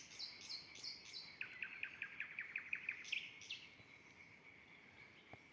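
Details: Common nightingale in spring near a village garden beside woodland, singing around 9 pm while nest-building and expected to sing all night, gives high, thin, down-slurred whistles, then a rapid run of about ten loud, clipped notes and a final sharp note.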